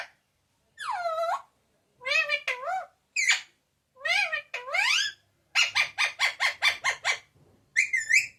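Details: A pet parrot mimics papa and mummy in a loud voice; harmonic, falling and rising word-like phrases, followed by a rapid series of about eight clipped notes and a final swooping call.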